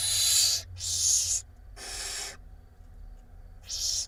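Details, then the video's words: Barn owl chicks at a nest box camera in Israel, April 2021, hungry babies being fed by their mother: harsh hissing, noisy screeches in bursts under a second long, four bursts with gaps, low steady hum beneath. "Mom (barn owl תנשמת) feeds her hungry babies"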